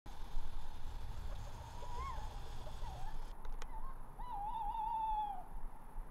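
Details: Tawny owl calling from a roof: a brief hoot, then a long, quavering, wavering note, over a steady low rumble of background noise.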